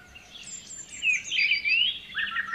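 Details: White-rumped shama song, played to stimulate a stressed bird to sing. A loud, sweeping whistled phrase with rapid slurred notes is followed by lower fluty calls, and high chip notes sound above.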